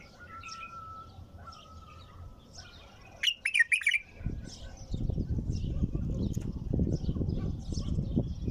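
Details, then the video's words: Bulbul gives a single loud warbled phrase midway, a quick run of rich whistled notes, after a thin steady tone, then heavy low rumbling noise takes over. "تغريد بلبل طور بدون توقف"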